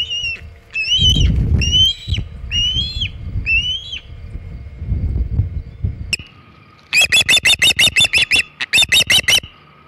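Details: Osprey calling at the Hog Island nest with a shad, 27 August 2019: spaced, slightly rising whistles over wind rumble, then a sharp burst of clipped, rapid piping notes.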